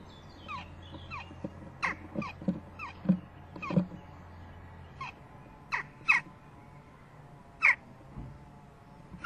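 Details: Western jackdaw fledgling begging for food at a nest box on 12 June 2015, late morning, as the confused parents fly in with food and then feed it: many harsh, downward-sliding calls in an irregular string, later spaced further apart.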